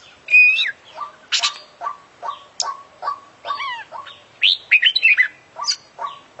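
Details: Oriental magpie-robin, a champion kacer, in full 'isian' song: a varied run of bright whistles, sharp upswept notes, harsh chatters and a rapid trilled flourish, set against evenly spaced lower chip notes.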